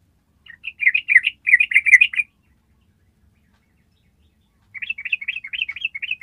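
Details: Yellow-vented bulbul giving the long ropel trill used to train other birds: a two-second run of quick warbled notes, a pause of about two and a half seconds, then a second rolling run.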